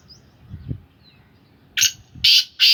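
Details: A kept black francolin of the Sindhi Gangas line gives three loud, harsh, scratchy notes in quick succession after low background thuds.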